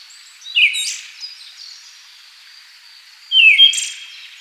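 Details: Siberian thrush, a species found from Siberia and China to Korea, Japan, India, Indochina and Indonesia and occasionally seen in Taiwan: two thin, high whistled notes slurring downward, one early and one about three seconds later, over a quiet background.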